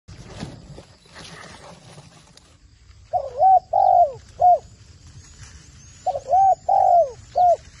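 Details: Spotted dove, a trained decoy bird used in dove trapping in Cambodia, cooing: two bursts of three or four hollow, mid-pitched coos, the longest note drawn out and slightly falling, after a few seconds of faint background rustle.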